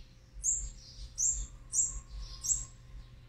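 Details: Olive-backed sunbird nestlings of a fourth brood being fed on day 18, 8-3-2020: four sharp, very high chirps about every 0.7 seconds, each trailed by a softer, lower slurred note, over a faint low hum.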